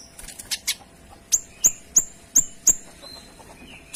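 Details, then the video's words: Kinoy in full song with dense, clear shot-like notes. Soft ticks open the phrase, then five loud, sharp, high ticks follow in quick succession, ending in a brief thin whistle. "Suara Kinoy Gacor Tembakan Rapat dan Jernih"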